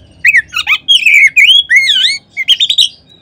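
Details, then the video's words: Oriental magpie-robin song played as a lure to set other magpie-robins singing: clear, rich whistles that swoop down and up, with quick chattering notes between them, in a fast varied phrase. "Kacer manapun seketika terangsang berbunyi dengan pancingan ini."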